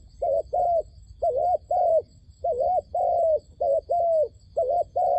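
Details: Dove used as a lure for trapping wild doves, cooing steadily: short rounded note then a drawn-out, gently falling coo, pairs repeating with brief gaps, nothing else prominent.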